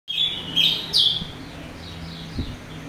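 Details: Orange-headed thrush singing in full, open style with a rough filler, used to provoke young, silent or speckled thrushes into responding; loud whistled phrases around high pitch, a few bright notes in the first second, fading to softer trailing notes.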